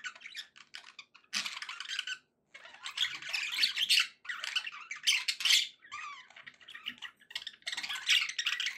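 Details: Pet budgerigars kept to give a parrot company; bursts of busy, scratchy warbling chatter with squeaks and short whistles, broken by brief pauses, indoors.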